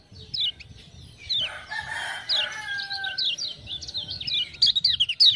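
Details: Singing lemon-bellied white-eye from Lombok, roused by ciak-ciak chirping, gives quick strings of high slurred chirps. A lower, hoarse drawn-out call overlaps briefly near the start, then bright twittering bursts close the passage.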